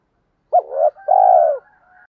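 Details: A single mellow spotted dove phrase, used for exciting decoy birds in training: a sharp short note bending downward, then a drawn-out low coo, with faint soft tones trailing after it.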